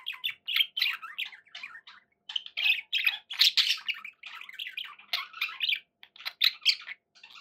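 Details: Captive budgerigars chatter in quick bursts of scratchy warbles and sharp chirps, broken by brief pauses, some notes sliding down in pitch, several birds calling over one another.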